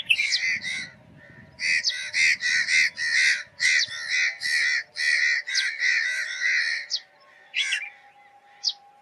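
A sparrow gives harsh, buzzy chirps in quick runs of about two per second, with brief pauses, over a faint low rumble early on.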